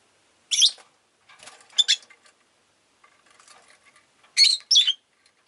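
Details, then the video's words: Pet Rosy-faced lovebirds in a group that was quite vocal that day give harsh, shrill chirps, first singly, then in quick pairs, with softer twittering between. "Lovebird Chirping Sounds"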